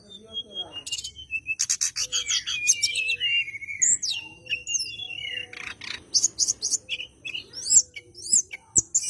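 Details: Bar-winged prinia singing in a fighting mood as if seeking a rival, used as a lure to set white-rumped shamas singing: thin whistled slurs, then dense bursts of high buzzy, rattling notes and sharp chips.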